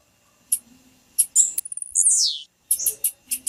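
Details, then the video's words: Female blue-black grassquit calling, a call played to make males sing and to warm up birds kept for singing tournaments; sharp high chips, then a long buzzy sweep falling steeply in pitch, then more quick high chips. "PIADO DE FÊMEA DE TIZIU FIT SEU TIZIU VAI CANTAR NA HORA TIZIU CANTANDO"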